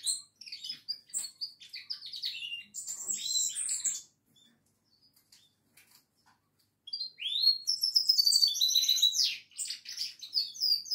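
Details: Goldfinch song in two bursts of quick twittering and buzzy trills, separated by a few seconds of near quiet with only faint ticks, then a loud, rich final passage.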